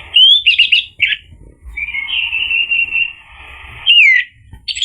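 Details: Orange-headed thrush song used as a lure to make other birds answer and sing: a rising whistle, quick chattering notes, then a long wavering buzzy note and a sharp slurred ending over a faint low hum.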